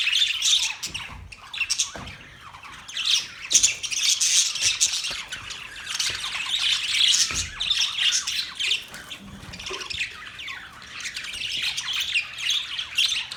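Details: Continuous squawky chatter from budgerigars, rapid high chirps and scratchy warbles layered together without pause, loudness rising and falling in waves.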